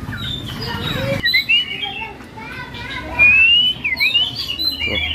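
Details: A caged Oriental magpie-robin singing strongly gives clear, high whistled phrases that slide up and down, with a man talking and other small birds chirping nearby.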